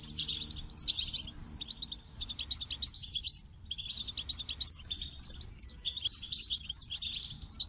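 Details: Extended goldfinch song, a lively stream of tinkling twitters and buzzy trills in repeated bursts with brief pauses, set against a steady low background hum.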